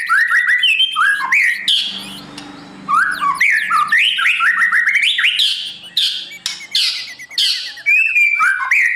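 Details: White-rumped shama morning song used to train a bird for competition: strong slurred whistles and rising phrases mixed with sharp clicks and chatter, a short noisy patch early on.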